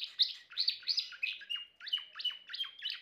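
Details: Timbrado canary song of chirpy, slurred notes, then a steadier series of repeated downward-swept whistles about every third of a second, with no other sounds.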